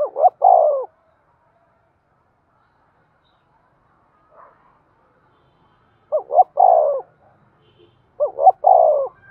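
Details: Spotted dove in excited 'thúc' cooing, used to rouse and train decoy birds: three-note phrases of two quick rising coos and a drawn-out descending one, the first repeated after a five-second pause, then again two seconds later.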